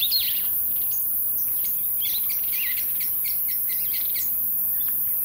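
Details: Jameson's firefinch, a rare visitor to a suburban garden in Pretoria, South Africa, giving a run of quick, high chirps and short twittering notes, with a steady high-pitched hiss running throughout.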